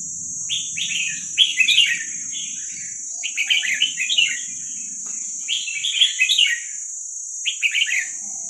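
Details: Wild Vietnamese red-whiskered bulbul youngster, played to train young birds: repeated short, lively warbled phrases of bubbling chirps, about one burst per second with gaps. A steady high-pitched whine and a faint low hum sit in the background.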